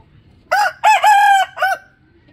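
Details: Loud rooster crow, calling out in a rich, strained cock-a-doodle-doo of four syllables, a short first note, a long held middle note, and a brief clipped ending.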